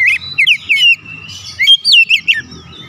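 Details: Rapid oriental magpie-robin song meant to stir up other birds: short, bright whistled slurs and chirps, some rising and some dropping, over a soft low hum.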